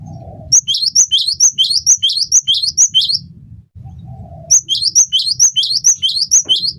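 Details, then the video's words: Singing cinereous tit (gelatik batu) on a tutor track for songbirds: ringing two-note phrases, a high note sliding down to a lower one, repeated roughly twice a second in two long runs split by a short gap with low hum. "masteran burung gelatik batu gacor pancing bunyi"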